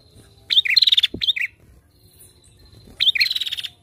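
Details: Female prinia calling lively as a lure recording: two short bursts, each a quick hooked chip and a rattling high trill, with a soft knock and a long quiet gap between them.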